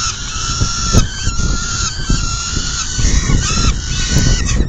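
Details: During a full feeding at a peregrine falcon nest on 10 June 2022, 4:08 PM, a long steady wail holds for seconds, later breaking into shorter bent notes, with thumps and heavy low rumble.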